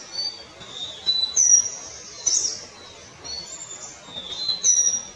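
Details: Palani laughingthrush, called Palani Chilappan and described as a subspecies of the Kerala laughingthrush: high, clear whistled notes and short slurred phrases come in loose bursts separated by brief pauses, over a quiet background.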